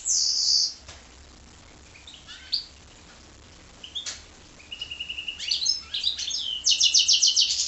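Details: Hybrid of goldfinch and canary opens with a loud high buzzy burst, pauses with sparse faint chirps, then builds into quick twittering and a rapid rattling trill.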